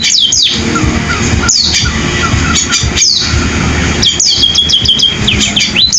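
High, thin down-slurred whistles from a munia, each dropping then holding briefly, repeated every second or so over a steady rushing background.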